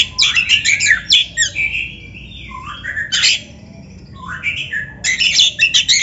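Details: Oriental magpie-robin training song for caged birds: rapid harsh chattering notes, a middle stretch of gliding whistles and slurs, then more fast scratchy chatter.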